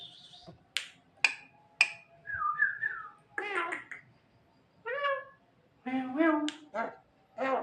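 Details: Mimicking Asian pied starling known for copying human coughs: sharp clicks, a warbled whistle, then rough nasal harmonic calls and squawks in uneven bursts, indoors.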